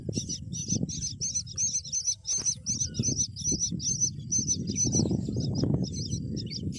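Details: Myna feeding a green worm to her babies; shrill, squeaky high notes repeat rapidly, about three per second, over steady low rustling and handling noise.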